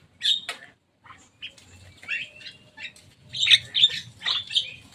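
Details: On top of a cage, a Javan myna chatters in scratchy, squawking notes, scattered at first and then building into a dense run of loud harsh calls near the end.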